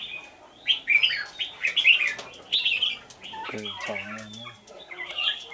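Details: Caged red-whiskered bulbul decoy from Lương Sơn in fighting song, loud bubbling warbled phrases in a rapid run, then a low voice-like sound and quieter chirps near the end.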